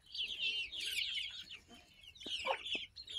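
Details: Barnyard chicken chicks hatched on May 21, 2024, recorded June 22, 2024: a dense chorus of high, quick peeping chirps from several chicks, overlapping in bursts, with a few lower clucky notes near the end.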